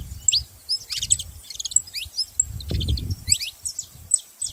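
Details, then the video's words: Saffron finches making noise: clusters of high chirps and short whistled notes, partly masked by a steady low rumble that swells in the middle. "Canarinhos fazendo barulho"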